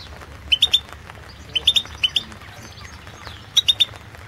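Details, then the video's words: European goldfinch recorded for a 2016 world championship song contest, giving short high clipped notes in tight groups of two or three, spaced about a second apart, over a low background hum. "Pesma štiglića Potić Slobodan 011/2016 World championship in Goldfinch Song 2016"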